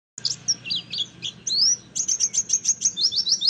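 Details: Oriental white-eye song used as a lure to get other white-eyes singing in forest style: rapid high chirps and twittering notes, some sweeping upward, then a fast run of evenly spaced sharp notes.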